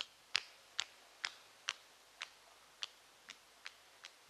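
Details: European Nightjar on heathland in the evening as the sun goes down: sharp, dry wing claps like finger clicks, about nine in four seconds. Males clap their wings above their heads as they fly around.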